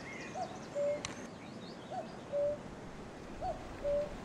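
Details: Common cuckoo singing from a tree on 3 May 2018, with horses nearby. A clear, low two-note cu-koo, with the second note lower and longer, repeats about every 1.5 seconds over steady background noise and faint distant birds.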